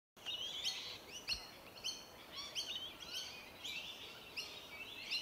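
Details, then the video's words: Rainbow lorikeets, a flock feeding on tree violet berries in suburban Melbourne, Victoria, Australia, in January: dense overlapping screechy, buzzy chatter between 2 and 6k, many short harsh notes jostling together without pause. "Rainbow Lorikeets feeding on tree violet berries"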